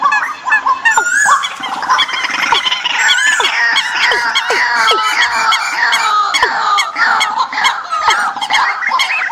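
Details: Migration-season decoy sounds. A continuous crowded chorus of birds, with busy chirping and trills throughout and sharp down-slurred whistles in the first half.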